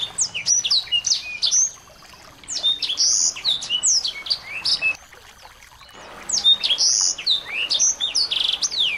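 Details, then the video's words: Small birds in a tutor recording used to rouse a white-rumped shama into singing: dense, high-pitched chirps and quick sweeping whistles in a rapid tumbling stream, broken by a short pause near the middle before resuming. "masteran burung kecil"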